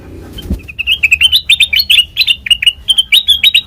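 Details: Black-crested bulbul, recorded as a lure for bird trapping, sings a steady, rapid string of cheerful whistled chirps that rise and fall, following a brief low thump at the start.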